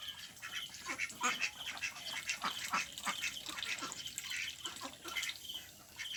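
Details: Several ducks, with Mandarin Ducks, Mallards and Pekin Ducks among them, give rough, clipped quacks in irregular clusters. Some calls are louder than others, as if from birds at different distances.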